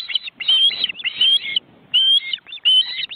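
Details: Live webcam in an Estonian forest reserve showing an osprey nest with two adults and nearly grown chicks beating their wings. Bursts of high, slurred whistled chirps come in short runs, broken by brief silent gaps.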